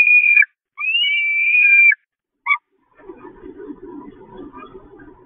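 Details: Peregrine falcon chicks begging at the Catharinakerk nest on 5 May 2021, very hungry and attacking their mother: two high whistled wails and a short note, followed by low rustling and scuffling noise.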